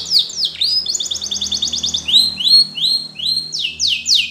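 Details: Yellow Spanish Timbrado canary in training song: a falling swoop, then a fast even roll of doubled notes, several rising slurred phrases, and loud sharp downward strokes repeated at the close, faint hum behind.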